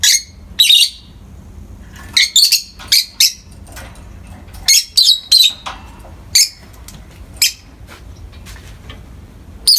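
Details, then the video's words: Peach-faced lovebirds, a pair of pets basking in morning light, give a busy run of about fourteen sharp, shrill chirps and squawks. They come singly and in quick pairs at uneven intervals, some ending in a thin whistled slur. "美しいさえずり 朝の光を浴びる コザクラインコ"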